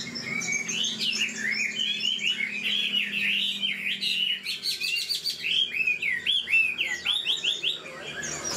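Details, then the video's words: Old wild-caught Chinese hwamei, a caged bird praised for a fine voice and fast delivery, pours out a rapid stream of looping, whistled phrases that rise and fall without a break, with a faint low hum underneath. "Họa mi già rừng chất giọng cực hay. tốc độ mỏ nhanh"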